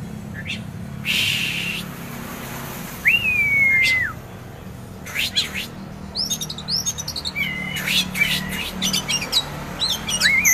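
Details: Caged prospect Oriental magpie-robin from Kisaran giving a varied medley: a harsh rasp, a curving whistled note, then a lively run of quick chirps, sliding whistles and twitters, with a steady low hum behind.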